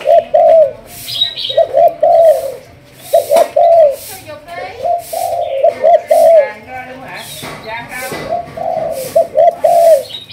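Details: Malaysian-line spotted dove of the thúc gù cooing line, being trained as a decoy bird: low mellow coos in pairs, a short note then a longer falling one, repeated through the clip, with faint chirps and brief clicks.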